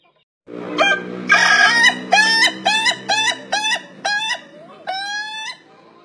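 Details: An Ayam Ketawa rooster gives a laughing crow with opening, beat and closing parts: a rapid string of short, cackling notes ending in one drawn-out closing note.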